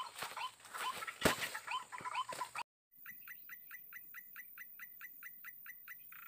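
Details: White-breasted waterhen heard while being lured for trapping: after a stretch of talking and clatter, a steady run of short, clipped, higher notes repeats more than twice per second against a faint high hiss.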